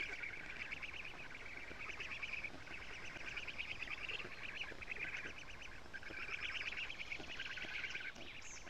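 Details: Black stork chicks on their nest in Estonia, fed lampreys by an adult on 14 June at morning; overlapping rapid nasal chattering in repeated bursts from several young over background hiss.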